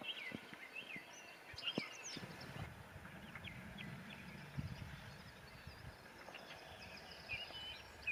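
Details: Red Crossbills (Loxia curvirostra) in Alutaguse, Estonia, April 2020, giving short, sharp chip notes, scattered irregularly as if from several birds, over a steady low rumble of background noise.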